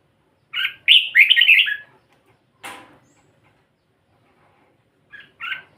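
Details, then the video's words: Pied-headed red-whiskered bulbul giving one rich, chattering warbled phrase, followed by a brief rustling flutter and, after a pause, two short clipped chirps; otherwise quiet. "นกกรงหัวจุก ด่างหัว"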